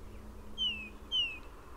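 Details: A Tufted Titmouse in a backyard in southern Maine in the second half of March gives two very loud, clear, downslurred whistled 'cheer' notes about half a second apart, over a quiet low background hum.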